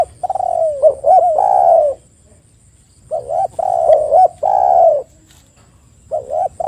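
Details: Spotted dove calling, used to lure other spotted doves into calling: groups of short rounded notes and extended falling coos, delivered in bursts with a silent pause midway, in a low mellow register.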